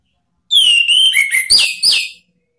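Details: Orange-headed thrush song used as a lure to provoke rival birds into singing: a single clear phrase of about 1.7 seconds, opening with a long whistle that slides downward, then a few quick, bright, upslurred notes, with no other sounds.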